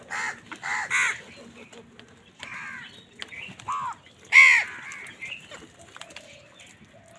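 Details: Many crows squabbling with wild birds over food in the morning, giving short harsh caws in quick pairs, then scattered single caws and one loud hoarse call near the end, with fainter bird calls between.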